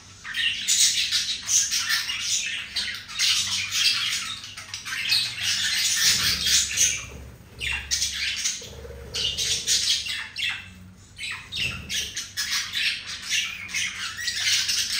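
A male budgerigar warbles continuously in courtship, a rapid chattering stream of squawks and chirps.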